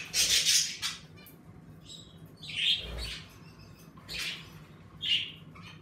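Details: Several pet budgerigars kept together in a bird room chirp in short, separated bursts: sharp high tweets and brief buzzy squawks a second or so apart, lively with the warmer weather, above a faint steady low hum.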